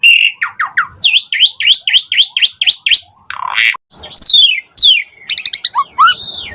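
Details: Asian pied starling song serving as a lure to get lazy starlings singing: a rapid series of hooked whistled notes, harsh bursts, a sweeping descending whistle and quick chattering phrases.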